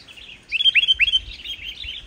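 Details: Sooty-headed bulbul giving an energetic song free of mimicry, played to lure other bulbuls into singing; a fast run of bubbly rising whistled notes delivered in one rich chattering phrase.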